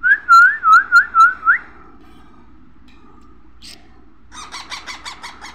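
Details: Baby parrot calling: a run of five wavering, warbled whistles in quick succession, a pause with faint background hum, then a rapid series of harsh, nasal squawking notes, about five per second.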